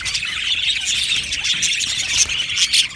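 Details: Aviary colony of budgerigars producing a constant busy chatter of high chirps and squeaks, with a few louder sharp squawks near the end.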